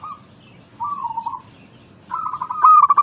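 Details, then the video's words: Local zebra dove, perkutut, singing, used to prompt lazy caged doves to sing: soft mellow cooing notes, a pause, then a rapid staccato run of ringing, bubbling notes. "Pancingan Burung Perkutut Lokal ampuh untuk mengatasi malas bunyi"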